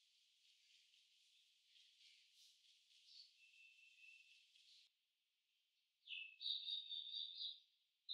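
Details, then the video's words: Purple sunbird song: a high, fast, buzzy trilled phrase lasting about a second and a half, after a soft, steady hiss of insects and faint high twittering. "Song of Purple Sunbird"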